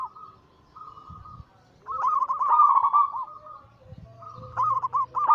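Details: Perkutut (zebra dove) anggungan song used as a lure to stir other doves: soft level coos, then a loud rapid trilled phrase, and a final series of bubbling coo notes after a brief gap.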